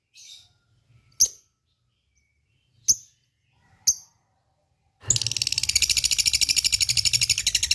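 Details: Lovebird lure intended to make other lovebirds answer and chatter: three isolated piercing chirps, then a loud, continuous, rapid buzzy ngekek trill for the final seconds.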